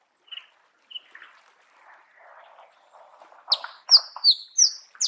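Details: A few soft notes and low murmuring twitter from a Marico sunbird in natural habitat, then a string of loud, high, sliding squeaks.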